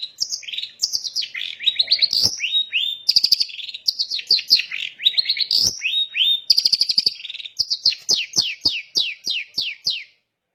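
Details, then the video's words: Long-tailed shrike singing to provoke other shrikes: a long continuous run of varied scratchy, chattering notes and mimicked phrases, ending with a rapid series of short clicking downslurred notes repeated several times per second. "Cendet Manapun bakal GACOR dan EMOSI dengan kicau Cendet Daput Ini"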